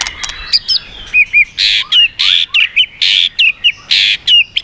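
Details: White-rumped shama singing in the 'yến reo' style with rapid switching of phrases to strongly provoke other birds: loud buzzy bursts alternate with short whistled slurs and upward flicks, about a dozen notes in quick, uneven succession.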